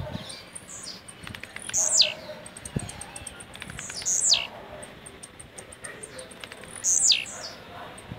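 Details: A young blue-black grassquit from Jacarepaguá, Rio de Janeiro gives three short, high, buzzy swept notes, one about every two and a half seconds, over faint high ticking insects.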